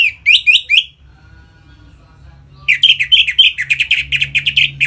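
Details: Orange-headed thrush in captivity giving 'ngeplong' song meant to bring other birds into breeding mood: three quick upslurred whistles, a pause, then a rapid run of scratchy, tightly repeated notes over faint low hum.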